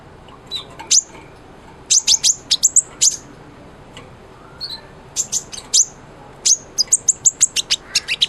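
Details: Sunbird singing energetically, meant as model song for a white-rumped shama: clusters of very high sharp chips and short tweets separated by brief quiet gaps, some notes slurring downward.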